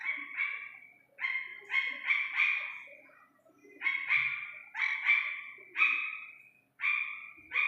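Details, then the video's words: Iranian partridge chick calls in clustered pairs and triplets of loud, rich, slightly descending nasal notes, separated by short gaps, in a quiet clean recording. "ایرانی تیتر کے بچے کی اصلی آواز"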